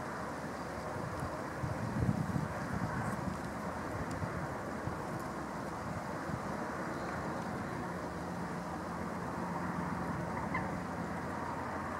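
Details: A steady low rumble of passing traffic or distant aircraft fills the whole stretch, with no clear animal calls.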